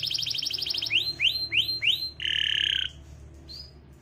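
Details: Canary song: a rapid trill gives way to four separate rising swept notes, then a harsh buzzy rolled phrase, ending with a brief high whistle.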